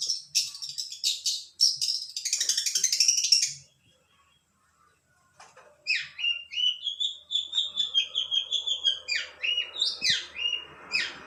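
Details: Energetic long-tailed shrike song: a burst of harsh scratchy chatter, a brief silence, then a long string of varied whistled and squeaky notes.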